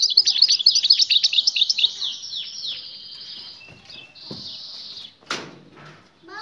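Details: Female European goldfinch giving a mating call that draws the male's attention and prompts him to sing; a rapid burst of high, sharp twittering notes for about two seconds, then fainter trailing notes and a brief broadband knock.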